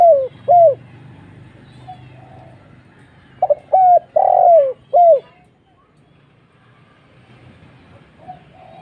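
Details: Spotted dove cooing as a lure in 'kuk 1' style: two soft downslurred coos, then a full mellow phrase of stutter, clipped coo, long drawn coo and slurred ending, followed by quiet with a low background hum.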